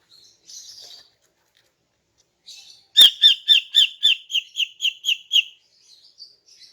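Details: Morning song of a female greater green leafbird used to lure males: soft hissy notes, then a steady run of about eleven sharp high chirps, nearly four per second, fading into faint twitters.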